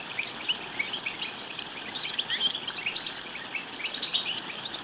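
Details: Goldfinch song used to prompt a goldfinch to sing and mate: high twittering notes in a steady stream, with a louder cluster of chirps in the middle, over light background noise.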